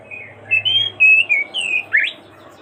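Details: Oriental magpie-robin singing continuously while calling its companion: a short run of clear whistled notes around mid-high pitch, some sliding up or down, ending in a sharp rising upsweep, with a low steady hum underneath.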